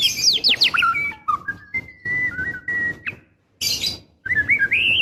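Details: A female white-rumped shama in breeding condition calls the male. Rapid high sweeping notes lead into long, steady whistles, then a harsh burst and more quick, rising whistled notes.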